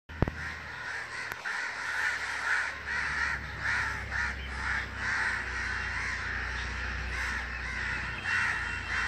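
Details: Group of crows flying over their nests at sunset, a steady stream of harsh overlapping caws about twice per second, hoarse and repeated, over a constant low rumbling background hum.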